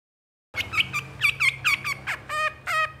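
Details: Cendet or long-tailed shrike in moult singing energetically, a recording used to provoke caged shrikes into song: harsh, scratchy chattering notes after half a second of silence, ending in buzzy, nasal repeated phrases, over a low steady hum.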